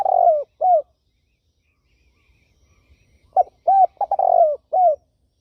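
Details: A falling coo and an arched coo end one turtle dove phrase. After roughly two and a half quiet seconds, a full phrase follows: short note, arched coo, stutter into a long slide, final coo.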